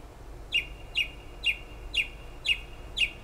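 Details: Bird repeating one note at night outside a window in Toms River, New Jersey, near the shore: six evenly spaced, sharp chirps about every half second, steady and unchanging, with faint background noise.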